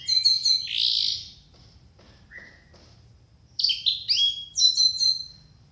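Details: Orange-headed thrush master song, used to get a lazy caged bird singing. Opens with a loud high rattling burst, pauses on soft faint notes, then bursts into rapid sharp chirps and clear whistled slurs.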